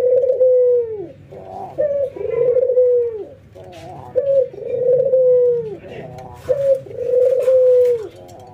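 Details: White albino and local ringneck doves in a training session, nodding and laughing: four rhythmic low coos, each a short rolling lead-in and a sustained note ending in a downward slur, with faint voices in the background.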